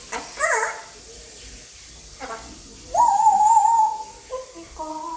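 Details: Five-year-old male pet African grey parrot practising English indoors; short harsh vocal notes, then a sustained wavering whistle about one second long followed by brief tonal notes.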